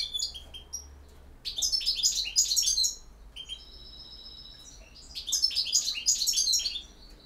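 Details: Campero-style song of a European goldfinch. Scattered high chips lead into two rich bursts of rapid liquid twittering, separated by a level, sustained buzzy tone. Quiet background hum.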